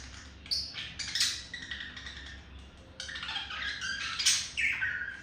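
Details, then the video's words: Male parakeet courting a female, a quieter mix of scratchy chatter and thin rising and falling whistles, with a louder squawking burst toward the end. "Sound of seduction made by Olive the male budgie for Melody the female budgie"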